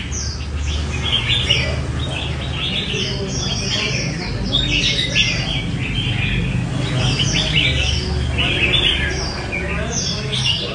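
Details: Competing red-whiskered bulbuls, not yet tagged with numbers, sing at a bird contest. Bursts of quick, tumbling whistled phrases and chirps repeat through the recording over steady low rumbling and faint voices.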